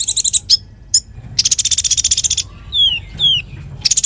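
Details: Konin in energetic song for tutoring magpie-robins: dense buzzy trills and chips, followed by two clear descending slurred whistles and a renewed trill.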